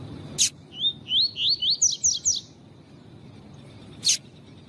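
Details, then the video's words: Double-collared seedeater singing a tui tui style tutor song, paired with a female's call to stimulate males: about eight quick whistled notes, each sliding upward, climbing in pitch through the phrase, with short sharp bursts before and after. "CANTO DO COLEIRO TUI TUI PROFESSOR COM PIADO DE FÊMEA DE COLEIRO PARA ESQUENTAR COLEIRO TUI TUI"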